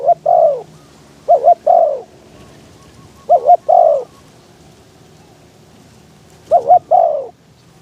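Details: Decoy spotted dove in a trapping pen, calling to lure wild doves on a windy day. Four phrases spaced irregularly, each a paired short coo then a longer falling coo, with faint rustling and low noise between.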